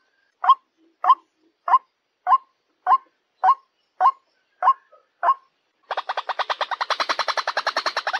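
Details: White-breasted waterhen calling to draw in other waterhens: nine evenly spaced, rough croaking notes, then a sudden switch to a fast, accelerating, grating chatter that continues to the end.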